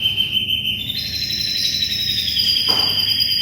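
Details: Canary singing strongly, recorded as tutor material for white-rumped shamas: a high held tone steps up into long sustained whistled notes with a faint buzzy texture, and a low hum throughout.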